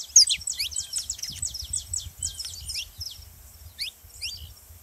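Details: Saffron finch, recorded to rouse canaries into song: a dense volley of high, buzzy chirps that thins into a few spaced notes, over a steady low background rumble.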